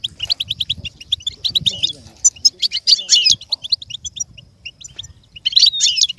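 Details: Goldfinch song meant for goldfinches to learn and imitate, steady strings of short high tweets broken by fuller buzzy twittering flourishes and quieter gaps, with faint low background noise.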